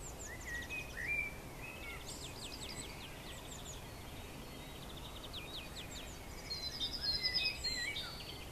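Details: Eurasian siskin on a roof ridge, singing and calling: a lively run of high twitters, rising whistled slurs and rapid trilled phrases, denser toward the end, against constant low outdoor noise.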